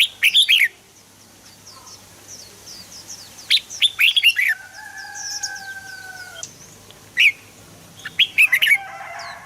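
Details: Red-whiskered bulbul singing, recorded to encourage birds to sing: clipped, bouncy warbled phrases at the start and around four and nine seconds, a long steady tonal note midway, and distant high chirps throughout.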